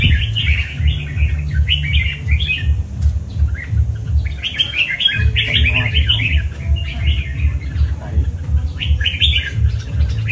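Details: Chào mào cọp, a red-whiskered bulbul, sings clusters of quick warbled whistles in several bursts separated by short pauses, with a regular deep pulsing beat running underneath.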